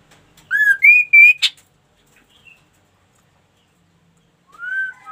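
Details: Ashy tailorbird delivers three loud ringing notes climbing in pitch and a sharp buzzy burst. After a quiet gap, a new phrase begins with a soft rising whistle.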